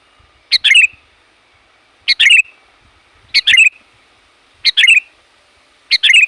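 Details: Sooty-headed bulbul giving a loud, bold call used to lure wild bulbuls: a sharp short note followed at once by a bright, descending warbled phrase, repeated about every one and a half seconds over a quiet background.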